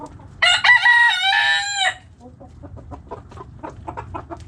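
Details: Rooster in a backyard flock crowing once, a loud, harmonic, slightly wavering call of about one and a half seconds, followed by a run of soft, rapid, repeated clucks from hens.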